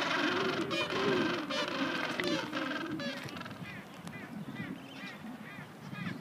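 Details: Gentoo penguins (Pygoscelis papua) at a colony on Cuverville Island, Antarctica, giving hoarse, braying honks that overlap into a busy, continuous colony chorus.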